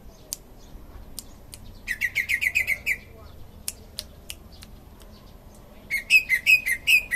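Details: Greater green leafbird from Indonesia, a prize-winning bird, giving fast runs of short chirped notes, about eight in a row, with sharp clicks between bursts.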